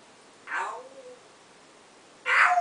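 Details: Pet male African grey parrot rehearsing his new favourite "owww" sound; one falling, moaning note, then a louder harsh burst about two seconds later, indoors.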